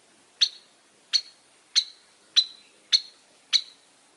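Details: Long-tailed shrike giving six sharp, high clicking notes, evenly spaced about every 0.6 seconds, over a faint steady background.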